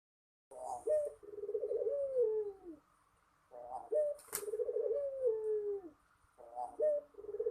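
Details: Spotted dove cooing a melodious phrase: a short clipped note, then a long rolling, pulsed coo that slurs downward at the end. The phrase repeats about every three seconds in a quiet setting, with one sharp click.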